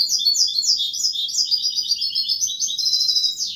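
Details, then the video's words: Goldfinch song in kubiya Malaga style, a continuous high, rapid twitter of buzzy and liquid notes without pause, mixed trills and chirps running through the whole stretch. "تغريد الحسون كوبية ملقا canto chardonnert"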